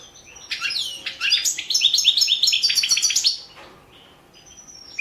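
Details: European goldfinch of the Balkan form Carduelis carduelis balcanica, a competition entry in an internet goldfinch song championship: rapid high twittering and buzzy notes packed into a burst of about three seconds, then quiet with a few thin notes.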